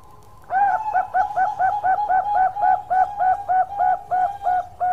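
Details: Bangkok-type zebra dove singing energetically: a loud, fast series of about fourteen clipped, bubbling cooing notes at even pitch, roughly three per second, against quiet background noise.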